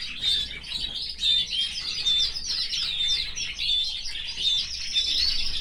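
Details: Male canary kept in a cage with his family, singing a continuous high, bright warble of rapid chirps and short whistled notes, with loudness swelling and dipping every second or so.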